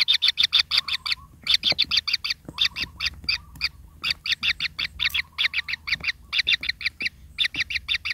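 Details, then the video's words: Hungry kingfisher nestlings in their nest, just growing pin feathers and needing much food, give rapid, harsh, high double-banded squeaks in dense bursts, repeated many times per second with brief pauses; faint low hum beneath. "SARANG BURUNG TENGKEK DAN ANAK"NYA YANG RAKUS"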